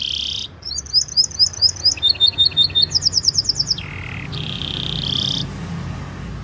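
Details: Long, lively canary song used to prompt young or silent canaries to sing: a burst of high tone, then rapid repeated up-sweeping chirps rising in pitch, a fast trill, and a sustained high buzzy note.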